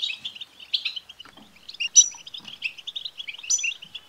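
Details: Twittering song of a European goldfinch, meant to set a male goldfinch singing: quick liquid chips and short trills, with two ringing high notes standing out midway and near the end.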